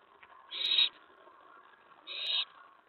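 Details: Owl at its nest at night, 11:28 PM on May 15, 2017, during a prey delivery brought in to eat: two harsh, hissing screeches, each about a third of a second long, about a second and a half apart, over faint background hum.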